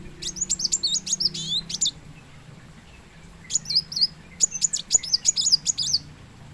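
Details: Plain sunbird, the kolibri muncang or kolibri wulung, delivering fast strings of very high, piercing chips and squeaky descending twitters, two dense bursts with a brief pause between, faint low hum in the background.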